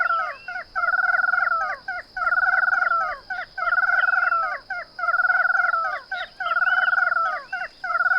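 An ash-throated crake gives harsh, nasal, rhythmic phrases about a second long, each ending in a falling slur and repeated every second and a half, over a steady high whine.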